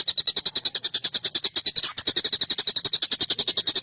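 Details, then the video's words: Collared kingfisher in a long, sharp, harsh, excited calling bout used as a master recording for training songbirds: a rapid, steady series of rasping, buzzy 'kek' notes, roughly eight per second, continuing without pause. "SUARA TENGKEK BUTO GACOR EMOSI UNTUK MASTERAN PANJANG TAJAM KASAR"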